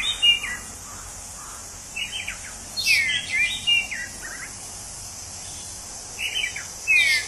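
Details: Orange-headed thrush in the wild giving short whistled song phrases spaced several seconds apart, with some notes slurred downward and a few sharp upward sweeps. A constant high-pitched buzz of insects runs throughout.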